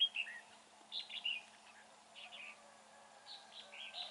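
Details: Red-whiskered bulbul singing in a fighting trap on a dark, overcast day: short warbled, slurred phrases near the upper-middle range, spaced by brief pauses, with faint steady background hum.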